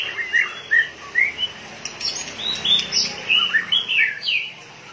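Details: Fired-up white-rumped shama, its tail flicking like a machine, utters separate melodious whistles. These are spaced notes and slurs, some rising and some falling, with high thin accents in between.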